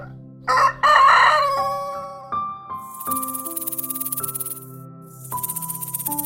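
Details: A rooster gives one loud, harsh crow lasting about a second, followed by music with a rhythmic, hissing shaker-like beat.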